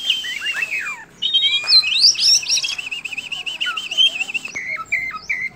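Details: Oriental magpie-robin singing ngobra style with tail spread: a burst of descending whistles, sharp high notes, then a wavering warbled trill, ending in short clear whistled notes.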